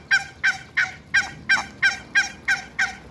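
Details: African geese, two pairs, meeting Muscovy ducks on a farm. One bird gives loud, nasal honks at a steady pace of about three per second, ten in a row.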